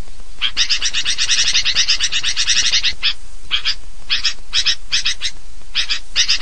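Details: Sooty-headed bulbul lure call: noisy, harsh, rapid chattering, a long burst of scratchy notes then short raspy bursts about twice a second, over a faint low hiss; used to attract bulbuls together.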